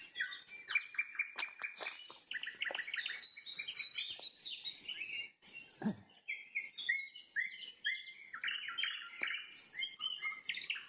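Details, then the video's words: Rich sunset song from a nightingale: dense volleys of sharp repeated notes and high whistles, briefly interrupted by a low thud, then varied chirping phrases. "Пение соловья на закате, соловьиные трели"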